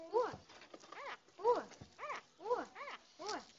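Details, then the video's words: Common myna talking: a series of arched, nasal, harmonic speech-like syllables, about two per second, each rising then falling, with brief silent gaps between them and no other clear sounds. "common myna bird talking"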